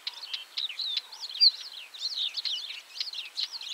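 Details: A Northern wheatear gives a fast, scratchy, crackling warble of high twittering notes broken by sharp, dry clicking calls, against faint background hiss; recorded in central Poland.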